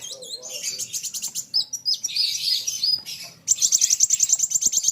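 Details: Sunbird called kolibri wulung singing against an equally vocal rival: harsh buzzy high chatter, then a rapid even trill of sharp repeated notes at the end.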